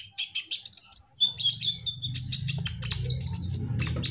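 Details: Olive-backed sunbird singing vigorously in an aviary: rapid, very high, thin chirps and twittering trills in quick bursts, with a low mechanical hum underneath.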